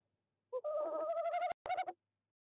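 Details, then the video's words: Tawny owl calling at night at 23:26 CET on 29 January 2021 while visiting nest box 2 in De Mortel, a drawn-out wavering hoot with rich overtones that breaks off and ends in a short quavering tail, with two sharp clicks. "Bosuil bezoekt uilenkast 2, roept 23:26 CET"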